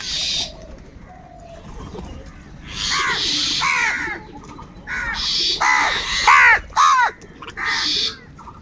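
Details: Several crows fighting for food, giving loud harsh caws in bursts, some grouped in quick pairs and triplets, with overlapping calls from other crows and background noise.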